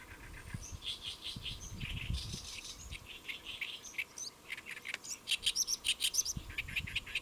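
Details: Great reed warbler singing atop a lotus leaf, Saemangeum, Gimje, Korea, 1 July 2024 noon; varied creaky and croaking phrases, ending in a fast, regular series of loud harsh chirps.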